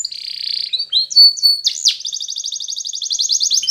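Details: A yellow Spanish Timbrado canary gives a buzzy sustained tone, a few high slurred whistles, a sharp swooping note, then a long rapid pulsing trill in two bright parallel tones.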